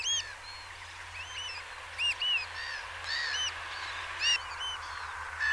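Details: Eurasian oystercatcher at Peenemünde, giving sharp, arched piping notes, several overlapping and spaced irregularly, some doubled, over steady low rumble and faint background hiss.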